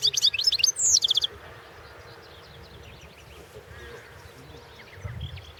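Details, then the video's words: European goldfinch singing in a 2016 world championship song competition: a short burst of high, tinkling twittered notes and rapid trills in the first second, then faint scattered chirps over a low background hiss. "World championship in Goldfinch Song 2016"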